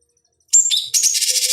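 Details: Fighting-bird training master of a cucak cungkok bulbul: after a short silence comes a sharp high whistle and chatter, running into a continuous harsh, fast rattling trill.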